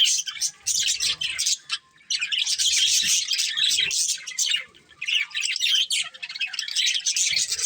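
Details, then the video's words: Budgerigars, colourful pet birds, chirping busily: dense high warbling chatter in long bursts broken by short pauses, with faint low knocks in the background. "Colourful Budgies Chirping Sounds"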